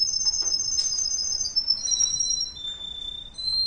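A Russian canary sings long, steady, high whistled notes that step down in pitch every second or so, with a faint room hiss beneath.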